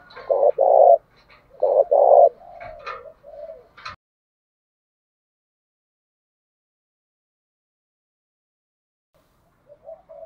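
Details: Spotted dove cooing used to stir rival doves to fight. Two strong paired coo phrases open the recording, followed by softer trailing notes, then a long silence and a faint coo at the very end.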